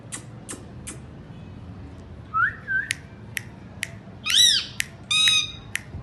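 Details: Pet Indian ringneck parakeet calling indoors: sharp clicks, a rising whistled slur, then harsh chevron-shaped squawks and a buzzy rasping note, spaced irregularly over six seconds.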